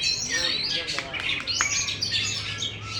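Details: Caged Oriental magpie-robin, a champion contest bird showing its open tail, pours out quick high chirps and whistled slurs. A faint low hum sits underneath.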